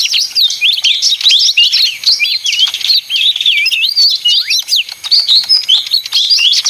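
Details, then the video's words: Leafbird, called ijo mini (daun), singing a noisy, nonstop stream of quick twisting whistles and chirps, densely packed with brief swoops up and down and almost no pauses. "suara ijo mini (daun)ribut"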